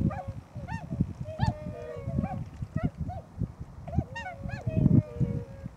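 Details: Tundra swans at Nonaka, Toyama, Japan, around noon on 13 December 2011, with not many birds present: overlapping nasal, bugling hoots from several birds at once over a low rumble of wind or distant traffic.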